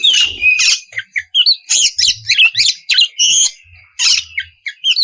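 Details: Ngeplong song of an oriental magpie-robin used to lure raw birds into singing; quick bursts of scratchy chirps and bright whistles follow one another, with a thin sustained tone running beneath the phrases.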